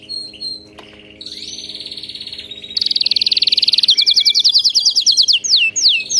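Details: Canary song used to train a pet canary to sing: soft chirps, a long buzzy rolled tour, then a loud rapid trill of repeated notes and a few falling whistled swoops.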